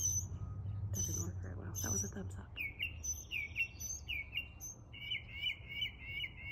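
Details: A northern mockingbird (Mimus polyglottos) sings repeated slurred, mewing phrases said to imitate a cat's meow, over high chirps, while a man speaks briefly at the start.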